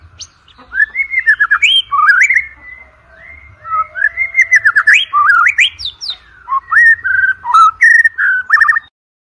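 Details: Energetic white-rumped shama song for training competition birds: sweeping whistled phrases with quick stuttering notes, short bursts separated by brief gaps, ending abruptly.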